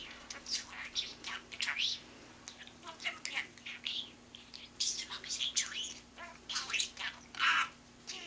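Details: Talking pet budgie indoors, known for mimicking phrases like "mommy loves you", "drink of water" and "you pooped on mommy"; rapid, breathy, high-pitched chatter of word-like syllables, some louder bursts near the end.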